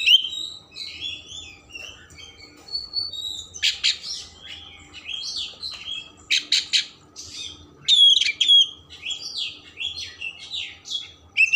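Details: Lively Oriental magpie-robin song with rich mimicry, meant to provoke emotion and tail opening: dense, fast chattering phrases, clusters of harsh rasps and a few piercing pure whistles scattered through nearly twelve seconds.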